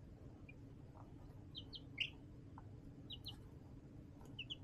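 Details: Baby chickens in a brooder box under a heat lamp giving scattered short peeps, some paired, one louder rising chirp midway, over a low background hum and soft scratching.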